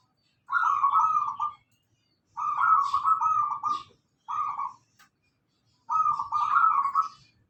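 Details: Lure song of a local zebra dove: four bursts of rolling, staccato trilled cooing, each lasting about one second and separated by short silences; a faint higher rustle and a click in between.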